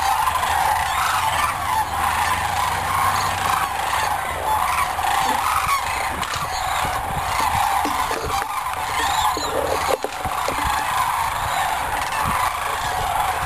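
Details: Thousands of sandhill cranes arrive at sunset to roost in the shallow Platte River, Nebraska, during their spring migration stopover. A continuous mass of rolling, warbling bugles rises and falls, with a few sharp knocks.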